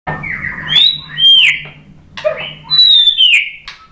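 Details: White-rumped shama (murai batu) singing a lure song meant to provoke other shamas into answering: loud, clear whistles sliding down from high to mid pitch in two long phrases, with short sharp notes between and a faint low hum beneath.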